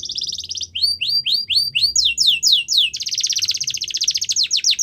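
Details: Yorkshire canary singing to train young canaries, repeated upward-swept whistles at a steady pace that give way to a dense, rapid rolling trill.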